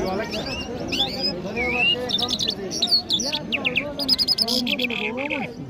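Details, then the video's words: Iranian Mashhadi jal songbird singing in Kabul, Afghanistan: quick bursts of high whistled and trilled notes, some rising and falling, with rapid chirps near the end. Steady murmur of human voices underneath throughout. "Jal Bird Singing |Iranian Jal Mashady Birds | جل مشهدي |طرقه پرنده مست و خواندي در کابل"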